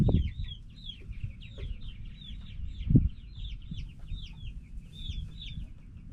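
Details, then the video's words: Backyard hens and roosters making a lot of noise: a steady stream of short, high, arched peeping notes repeated in quick succession, with a low rumbling background and a louder thump near the middle. "Back yard chickens making noise🐓 Relaxing sounds of hens and roosters"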